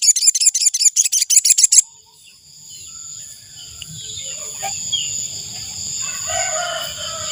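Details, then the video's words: Ashy tailorbird call meant as a lure for wild birds: a fast burst of roughly a dozen piercing high chips lasting under two seconds, then faint low rumble and a steady high tone. "Suara burung sogon untuk pikat"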